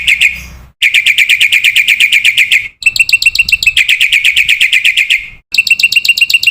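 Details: Black-winged myna masteran training song for young cage mynas, full of varied fillers: fast rattling bursts of bright, harmonic notes repeated about four per second, split by short silences.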